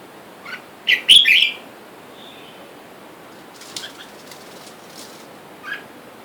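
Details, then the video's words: A caged wild red-whiskered bulbul pair, male and female, with free birds outside calling for a mate. A single loud, quick, gurgling phrase sounds early on, then soft rustling like wing flaps and a faint later chirp. "นกกรงหัวจุกป่า ผู้ เมีย ในกรง และเสียงนกป่าเรียกคู่อยุ่ด้านนอก"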